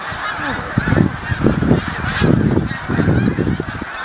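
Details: Hundreds of snow geese landing on Cayuga Lake clamor at once, with overlapping nasal, barking honks in a continuous, pulsing din.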